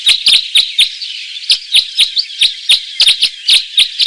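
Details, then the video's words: Red crossbill song of rapid sharp chips, about four per second, mixed with a twittering warble, notes falling in pitch and delivered in uneven bursts. "red crossbill song"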